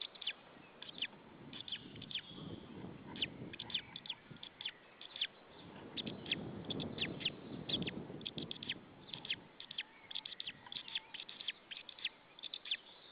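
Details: White-tailed eagle male calling at his nest in Saunja, Estonia, 26 April 2013 around 19:00, while another eagle appears; he stands up, then flies off. Continuous high yelping bursts over low rustling and flapping noise.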